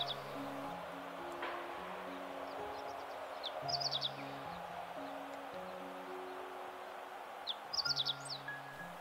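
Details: Meadow bunting along a riverbank in northern Harima, central Hyogo, Japan, in great reed warbler season, gives two short, high, quick twittering phrases about four seconds apart, over steady background music.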